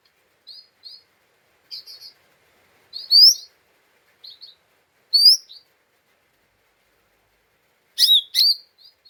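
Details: Excitable lesser green leafbird lure call for provoking other birds: soft paired chips broken up by loud, sharp upswept whistles, with a harsh bright burst near the close.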